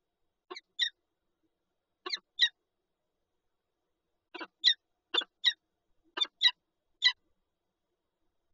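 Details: Peregrine falcons at their Lublin nest with eggs, 19 March 2022, Poland: scattered harsh paired chips, a pair near the start, another around two seconds, then a denser run of clipped calls.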